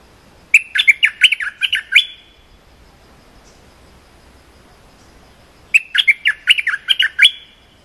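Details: Cream-vented bulbul singing a short training song for young or silent birds. Two fast, bubbly phrases of about ten chattering notes each are separated by roughly four seconds of quiet.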